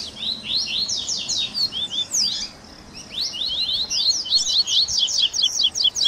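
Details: Captive-training 'baderna' of Double-collared seedeaters mixing tui tui, grego, viviti and flauteado styles: fast high twittering phrases, a short lull near two seconds, then a dense run of sharp repeated notes about two per second or faster.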